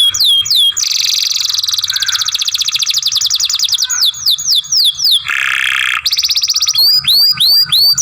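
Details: Young canary masteran for song training delivering a long buzzy rattling trill, then rolling descending notes, a grating churr and closing sweeping chirps, loud and continuous.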